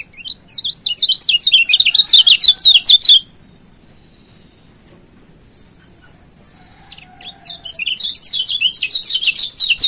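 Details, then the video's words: Lombok yellow white-eye singing a master song for training and rival provocation. A three-second burst of fast, high, warbling whistled notes, a quiet gap with faint lower notes, then another long rapid run. "Masteran Kecial Kuning GAK PERNAH ZONK‼️Pancing Jos LAWAN‼️"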